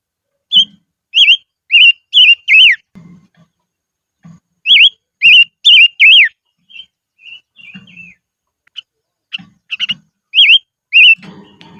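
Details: Highland decoy silver-eared mesia singing repeated phrases of three to four rolling, wavy whistles. Three phrases come in under twelve seconds, with softer chips, short notes and low rustling between them.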